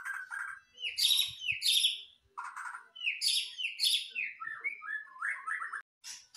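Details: White-rumped shama in full song: paired high, buzzy descending phrases repeated, followed by a string of lower, fluty warbled notes, brief gaps between bursts.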